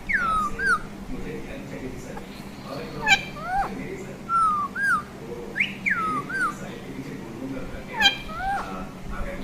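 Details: Pet green parrot kept at home, producing a series of clear whistled notes, each a quick falling-then-rising slur, repeated every one to two seconds over a low steady background hum.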